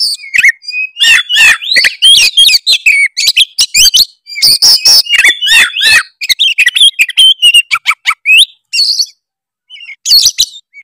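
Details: Oriental magpie-robin of the Tretes type, full of mimicked fill notes, used as a lure to provoke rival birds; rapid, dense run of sharp chirps, whistled slurs and rattling bursts with brief pauses, continuous chattering for most of the time.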